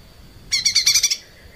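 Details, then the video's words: Caged lesser green leafbird singing for a cage-bird training recording. A short, loud burst of about seven fast, buzzy, rattling notes, with a faint steady high tone behind it. "kicau cucak ijo mini gacor buat masteran"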